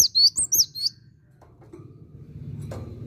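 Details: Cinereous tit giving a short burst of four high, piercing two-note whistles in under a second, followed by quiet low-pitched hum and faint noise.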